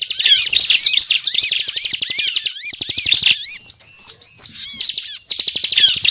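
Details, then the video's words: Prinia (ciblek) singing continuously in 'ngebren' fashion as a trapping lure: fast buzzy chatter, then a run of ringing, arched whistled notes, then chatter again. "Suara Ciblek Gacor Ngebren"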